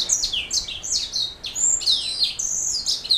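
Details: Canary hybrid known as a black throat mule giving a lively, continuous high warbling song of quick slurred whistles and buzzy descending notes that tumble into one another.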